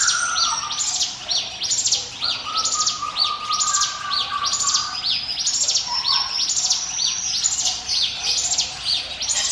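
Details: 'Ngiwit wit' song of the ciblek gunung prinia, prepared as a lure for other birds: long, even run of high rising-falling chirps, rhythmic and bright, over a few lower drawn-out whistles.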